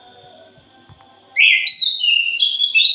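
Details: Thrush in a lure recording: after a stretch of steady, high pulsed insect chirping, a burst of loud, fast, scratchy warbled phrases begins, sliding between mid and high pitch, while the insect pulses continue behind it.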